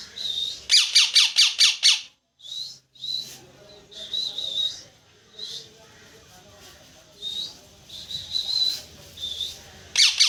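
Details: Parrot calls open with a fast series of loud harsh squawks, followed by scattered high chirps and short whistled notes, and a final burst of squawking.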